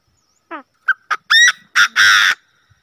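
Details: Chinese francolin call used as a hunting lure; a rapid series of loud, harsh notes rising in strength, starting with a few short clipped notes and ending in two long, rasping, buzzy blasts.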